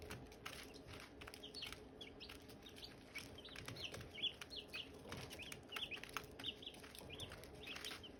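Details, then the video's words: Silkie chicken chicks and hatching eggs chirping: a steady stream of short, high, sliding peeps overlapping from several chicks, with a soft background rustle. "Silkie chicks chirping, Hatching eggs chirping sounds"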